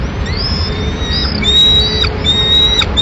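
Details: Peregrine falcon nest in Madrid, 24 May 2016, mother bringing a pigeon for the single remaining chick; a string of high, flat whistled notes, some gently rising, with two sharp clicks and a constant low background hum.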